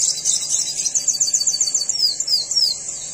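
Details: Red siskin (Spinus cucullatus), song: song of a bird in breeding condition.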